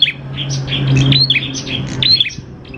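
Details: Prinia lure song meant to make prinias sing: a busy run of quick high chirps and short squeaky notes with no clear pauses, over a steady low hum.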